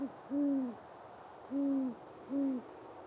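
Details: A great horned owl gives courtship hoots, three deep, soft, even notes about a second apart after a clipped one, against a quiet background.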